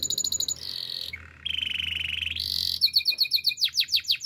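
A canary sings fast, high rolling trills, switching every second or so between buzzy rattles, a steady rapid tour and sweeping whistled notes.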